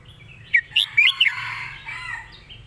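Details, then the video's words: Competition red-whiskered bulbul master song: one quick phrase of four loud, bubbling whistled notes, followed by a softer fading warble. "ใส่หนัก จัดเต็ม"เพลงแม่บท นกแข่ง#เสียงนกกรงหัวจุก"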